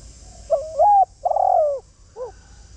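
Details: Luring call of a decoy spotted dove: a short kinked coo, a long grating coo that droops at its end, and one soft rounded final note, all in one phrase over low background hiss.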